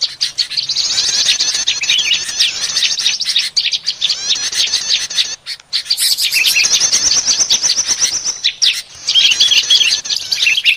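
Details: Noisy prinia lure for catching small birds: three long bursts of crowded, very fast high twittering and trills separated by short breaks, with a few clear whistled notes toward the end.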